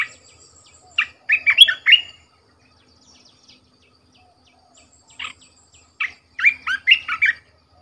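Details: Decoy red-whiskered bulbul, caged, repeats a cheerful phrase of loud warbled whistles twice, separated by a pause with faint soft notes.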